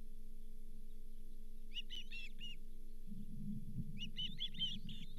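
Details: Osprey at the Charlo nest, 31 July 2023, with the day's fifth fish, a lake whitefish. Short bursts of high, quick chirps, quieter and half-covered by low rumbling noise that swells in the second half.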